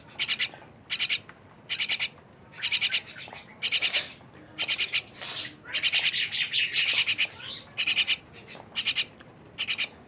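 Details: Myna uttering rasping pulsed bursts roughly once a second, with a longer, denser stretch of harsh chatter near the middle.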